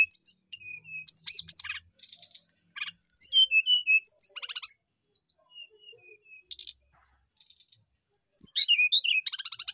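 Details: Sustained song of a brown-chested jungle flycatcher: varied high whistles, rapid chattering trills and twittering phrases in quick succession, with brief pauses and a final burst of dense chatter and descending whistles.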